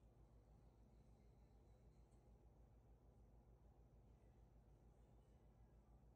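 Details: Very faint low hum and room noise, with no animal sound present.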